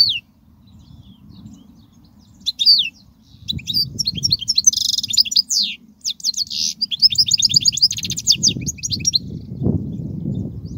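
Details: European goldfinch song played to teach young goldfinches: rapid twittering of high, tinkling notes and sweeping slurs, broken by dense buzzy trill bursts, over a low background hum.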